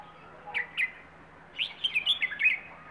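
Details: Wild-origin bird from Rayong singing a plai ho style song: two short rising chirps, then a quick run of bright warbled notes, over a steady low hum.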